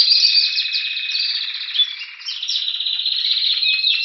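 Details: February 2016 in Anavissos near Athens, Greece: a 2015 Spanish Timbrado canary sings while waiting for spring, an unbroken stream of rapid bell-like rolls and trills, dipping briefly in volume mid-phrase before resuming strongly.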